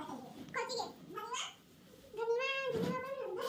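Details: Green parrot kept as a pet, calling to its owner indoors: a few short nasal, harmonic calls that rise and fall, then a long wavering drawn-out call held for over a second.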